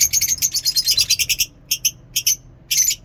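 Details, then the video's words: Morning lovebird song at a mini zoo: a quick run of about a dozen bright, rasping chirps, then paired chirps after short pauses and a final harsh burst. "Lovebirds singing in mini zoo"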